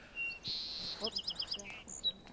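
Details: A Song Sparrow, drawn in by pishing, sings close by in forest at Birch Bay State Park, Blaine, Washington: a quick, bright phrase of clear opening note, buzzy note, rapid repeated chips, then a dry trill.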